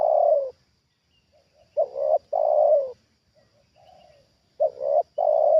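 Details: Trained spotted dove responding to a wild dove lured down again: low mellow coos repeating in a pattern of short stuttering notes, a long falling coo, then faint soft notes, heard three times with clear pauses.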